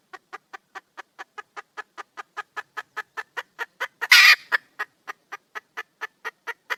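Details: Female wild red junglefowl calling for a male: a long steady chain of sharp clucks, roughly four per second, interrupted once by a loud, rough squawk before resuming.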